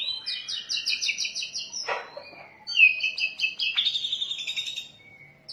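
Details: Oriental magpie-robin, known locally as kacer, singing a richly varied master song for training and luring: quick repeated whistled notes, a harsh rasp, then loud clear trills fading into a thin whistle.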